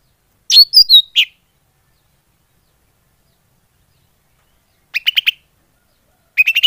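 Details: Greater green leafbird lure call for drawing in birds: a few sharp, squeaky slurred notes, then after a long silence two brief groups of quick chattering chirps.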